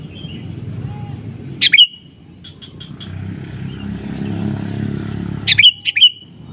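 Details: Sooty-headed bulbul provoking a rival with its call, the other bird answering. A loud chirped phrase, a soft series of four short notes, then two loud chirps in quick succession near the end, with engine-like low rumble behind.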